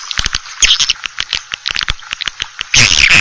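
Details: Swiftlet lure call meant to draw in Asian swiftlets: a run of sharp dry clicks with faint chirps, then a sudden loud burst of dense, buzzy twittering at the close.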